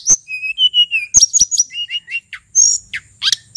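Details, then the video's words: Male sulingan endemic to Mount Merapi singing to lure other birds: a run of three or four clear level whistles, then sharp clicks, short rising notes and a high buzzy phrase. "Burung sulingan gunung merapi nyiul GACOR ,suara pancingan SRDC & tledekan BAKAU agar cepat NGEPLONG"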